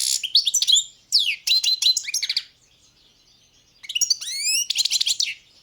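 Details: Competition recording of a Balkan goldfinch, Carduelis carduelis balcanica, from a 2022 world song championship held in Serbia: bursts of bright twittering and buzzy trills with rising whistled notes, two phrases separated by a short pause.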